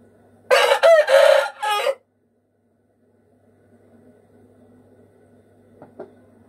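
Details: Afghan rooster, from Afghanistan, giving one loud, harsh, drawn-out crow in three joined bursts lasting about a second and a half, followed by near silence with a couple of faint clicks.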